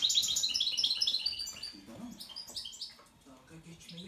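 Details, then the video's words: European goldfinch in breeding-season excitement, a trained Turkish saka, delivering a burst of rapid high twittering and trilled notes for about a second and a half, then fainter scattered chirps over low indistinct sounds in an indoor setting. "Saka x saka kızışma"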